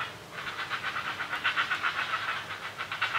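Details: Great blue heron chicks at the nest begging noisily as a parent feeds them: a fast, harsh, rattling series of clacking pulses, about four per second, steady for the whole stretch.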